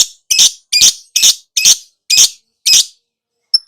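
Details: Lovebird in continuous chattering song, a quick run of seven rasping, high, squawky notes about two a second, then a final faint chirp after a pause.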